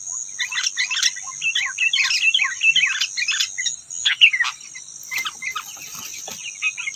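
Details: Rufous-tailed robin, a wild bird outside competing with caged birds, sings rapid, varied high chirps and twittering phrases over a steady high insect-like whine, with a short pause near the middle.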